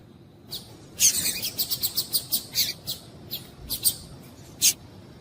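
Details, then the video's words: Double-collared seedeater female call meant to stir males into song: a fast run of bright, high, clipped chirps, roughly a dozen in under four seconds, then a final isolated chip, with a quiet background hiss. "Piado de Fêmea de Coleiro para Esquentar Coleiro"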